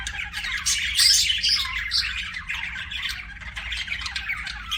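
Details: Budgerigar warbling steadily, with rough chirps and squeaky chatter running without pause and a faint hum underneath.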